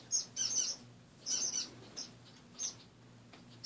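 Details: Pet finches in a cage after waking in the morning: short high buzzy chirps in small bursts separated by quiet gaps, a low hum in the background.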